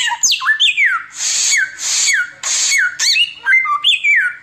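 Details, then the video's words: Nonstop 'tembakan' singing by an Oriental magpie-robin, intended as a training tutor: drawn-out hissing rasps alternate with bright whistles that drop sharply in pitch, in a continuous loud run. "TEMBAKAN SAMYONG NGACOR"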